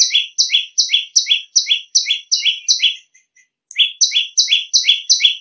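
A bar-winged prinia sings a loud, shrill run of high, down-slurred double notes, about three per second, with one brief pause midway.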